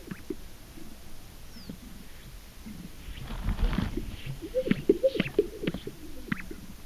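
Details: Greater sage-grouse booming on a lek in Oregon, USA: low swishing and rumbling sounds build up, then a quick series of hollow, liquid pops. Faint steady background hiss throughout.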